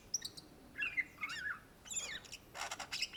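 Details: Greater green leafbird, known locally as cucak ijo, singing in a vigorous style: short bursts of varied chirps, slurred whistles and buzzy notes spread across high pitches, with brief pauses between phrases.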